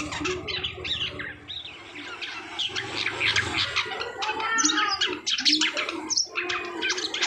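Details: Asian pied starling in song after its moult: busy run of chirps, clicks and sharp whistled notes interwoven with rasping chatter, growing louder and denser in the second half over a faint low hum.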